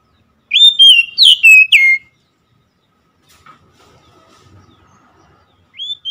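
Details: Oriental magpie-robin delivering one short, loud phrase of three or four bright whistled notes with sharp slurs, followed by near silence and a faint start of another note at the end.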